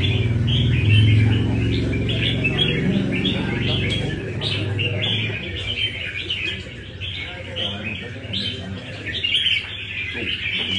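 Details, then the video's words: Red-whiskered bulbul from Nam Đông, tested lightly at a café in Đà Nẵng, delivering a long string of lively warbled phrases while people talk nearby and a low drone fills the background. "Cb Nam Đông Test nhẹ cafe-Chào mào cafe"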